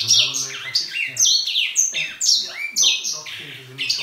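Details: Grey singing finch kept indoors and singing all day, giving a continuous warbling stream of varied whistled notes, many swooping down in pitch, over a low background hum.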